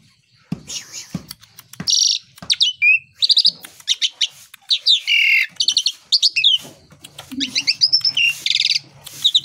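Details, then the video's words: Black-winged starling song in the morning: a varied, loud run of harsh buzzy bursts, sharp chirps and whistled notes in quick succession, with occasional low knocking sounds between phrases. "PANCINGAN JALAK SUREN, PAGI HARI PENAMBAH GACOR"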